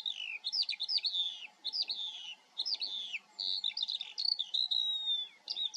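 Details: Eurasian skylark observed in the Eifel, singing a fast, continuous stream of varied chirps, slurred whistles and buzzy trills, high-pitched and tumbling without pause, with a faint steady hum underneath.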